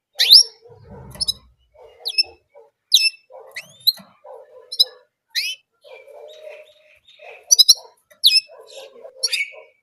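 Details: Orange German canary repeating a single song note type: brief sharp high sweeping chirps spaced about a second apart, with low murmuring sounds in between.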